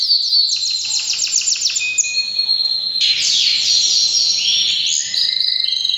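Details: During breeding season a canary pours out loud song: a quick clicking trill, a steady held roll, then bursts of sweeping notes and a final fast repeated chatter.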